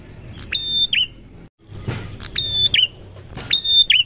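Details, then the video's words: Song of a prinia responding to another prinia: high steady whistles, each opened by a short click and closed with a twisting drop. There are three phrases with a brief gap, over low background rumble. "prenjak langsung nyaut dengar prenjak ini"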